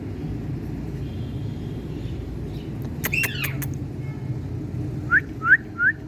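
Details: Tiger Indian parrot enjoying sunlight; after a quiet stretch comes a short burst of clicks and a curling squawk, then three rising whistled notes close together at the end.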